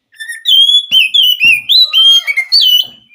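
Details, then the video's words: White-rumped shama singing a continuous string of bright whistled notes that rise and fall, some slurred downward, with a soft low whistle underneath and brief clicks. "Kacer gacor"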